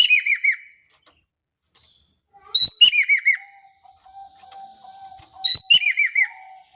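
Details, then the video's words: Javan kingfisher calling in Indonesia: three phrases of a sharp note plus rapid descending chirps, about 2.7 seconds apart, with a thin, steady low whistle from another bird between them. "JOVIN / EKEK KELING GACOR DAHSYAT"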